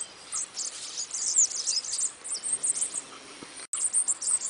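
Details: Bananaquit giving rapid, thin, hissing trills and squeaks in irregular bursts, broken by a sudden instant of silence before the high chatter resumes.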